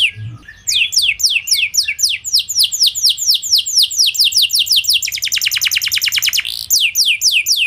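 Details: Canary singing to provoke other canaries to reply: rapid falling whistled notes repeated steadily, shifting midway into a dense buzzy trill, then back to sweeping notes.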